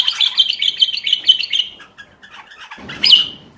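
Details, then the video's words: ['Motivating song of a bulbul meant to get quiet bulbuls singing: a fast, loud bubbling warble that fades, soft scratchy notes, then a sharp clear whistle trailing off.'] "تغريد تحفيزي للبلابل القافلة ترديد صوت البلبل"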